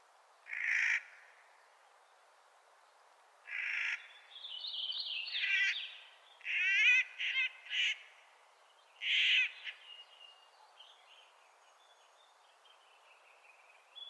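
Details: In spring, a Clark's nutcracker gives harsh, nasal, rasping calls spaced a few seconds apart. Some calls are stuttered into rapid pulses, with faint higher twittering between them.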